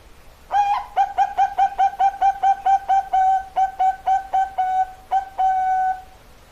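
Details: Perkutut Bangkok, the zebra dove, giving a rapid series of short, pure, whistled coos on a level pitch, about a dozen notes quickening then spacing out, with a final longer note.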